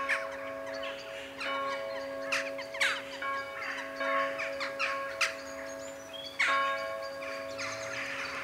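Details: Jackdaws at their evening ritual over Ringenberg while the Protestant church rings its 19:00 bells; separate short, sharp calls every second or so stand out over a constant humming bell tone.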